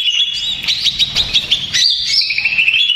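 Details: Agitated greater green leafbird lure song with dense, high ringing chirps and sharp notes rising and falling rapidly throughout.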